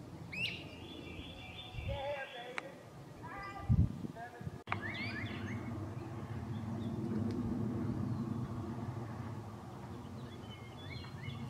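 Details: Great crested flycatchers giving a few loud, echoing, whistled, rising 'wheep' calls, heard over a steady low rumble of traffic and some faint voices.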